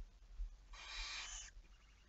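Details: One softer, noisier barn owl screech, a breathy rasp lasting under a second, heard against a louder hiss and low rumble, recorded 11 May 2019 at 23:34.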